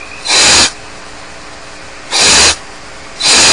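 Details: Barn owl nestlings left alone at Starr Ranch produce three rasping, breathy hisses lasting about half a second, spaced irregularly, against a quiet humming background.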